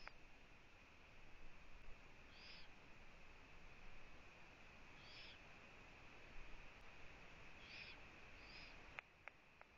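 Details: At a Latvian Eurasian eagle-owl nest, filmed by a live camera on 1 June 2017 at 15:01 as the female comes to her owlets. Four short hoarse hisses sound at uneven gaps, followed by a few clicks near the end, over a steady whine.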